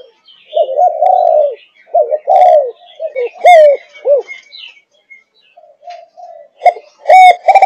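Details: A 5.5-month-old Malaysian-line spotted dove in the thúc gù cooing style. It gives low, mellow, warbling coos in short repeated phrases with brief pauses. Thin high chirps sound above them near the end.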